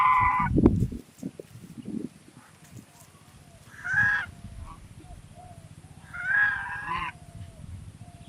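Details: Swan giving a few nasal, honking calls spaced about two seconds apart, each short and slightly buzzy, over low background rumble and a faint steady high hiss.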